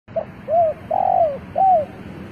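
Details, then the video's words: Decoy spotted dove cooing to lure wild birds: a brief soft introductory note, then an arched coo, a longer rolling, wavering coo and a final arched coo, all low and mellow, over a faint steady background hum. "chim cu mồi gáy gọi bổi"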